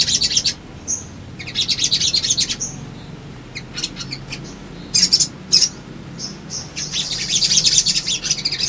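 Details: Male Crimson Sunbird (sogon) singing energetically as a lure to provoke responses and rival-seeking. Bursts of very high, thin chirps and twitters alternate with short whistled notes, separated by brief quiet gaps.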